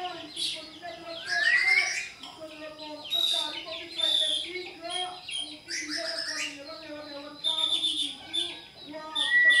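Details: White-rumped shama song meant to draw a caged shama into singing back: rich, varied phrases of upslurred whistles, buzzy trills and sharp high notes come in bursts roughly every two seconds over a low steady background tone.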